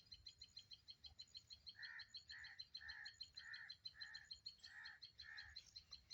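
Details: Rufous treepie (Dendrocitta vagabunda) in jungle gives a quick series of hollow, mid-pitched notes over a steady high insect-like chirring.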